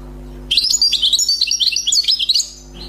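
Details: Freshly trapped wild European goldfinch in song, a continuous two-second burst of bright, liquid twitters and quick chirping slurs delivered in rapid succession, starting abruptly after a short pause, over a faint electrical hum.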